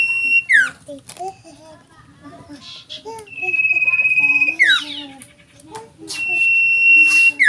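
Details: Sooty-headed bulbul, a fairly tame caged bird kept to sing often, giving sustained level whistles broken by steep downward-sweeping slurs and short chattering notes, repeated over several seconds.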